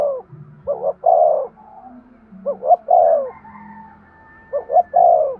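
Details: Breeding-stimulation coo of a spotted dove: phrases of quick paired notes ending in a long, falling, hoarse coo, repeated three times over a steady low background hum.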